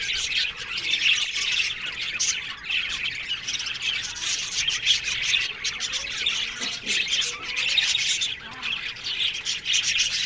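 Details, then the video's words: Many budgerigars in an aviary colony, continuous chattering and warbling with frequent sharp chirps and occasional louder squawks layered over each other. "One Day Parakeet's Sounds Budgies Love Birds HD Sounds"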